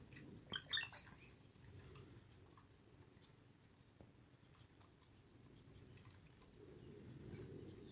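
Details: A cowbird at a driftwood feeder on South Vancouver Island, BC, gives a brief squeaky gurgle, then a thin, very high whistle that slides downward, all within about two seconds; faint low rustling follows.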